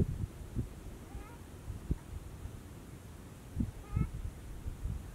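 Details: Whooper swan in Bojaq National Park alongside mute swans: two clear, ringing, trumpet-like honks about three seconds apart, each slightly rising, with low thumps and wind rumble underneath.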